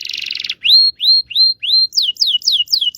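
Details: Canary from Indonesia, local type, in lure song for young or silent birds: a harsh buzz, four rising whistled notes, then five quick descending sweeps in even rhythm.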